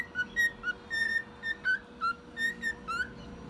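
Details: Pet male cockatiel, one year old, whistling a melody of clean, evenly paced notes, some held and some slurred, over a low steady hum.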